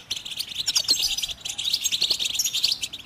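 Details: A short burst of goldfinch song, used to stir other birds into singing: quick, bright, tinkling notes and twittered trills racing along at a high pitch.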